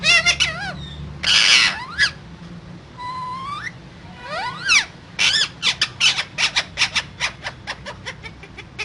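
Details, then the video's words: Parrot vocalising: wavering whistled notes, then a loud harsh squawk. Clear rising whistled glides follow, then another squawk and a quickening run of sharp chirps. Low background hum throughout. "Raw Parrot Talking So Cute"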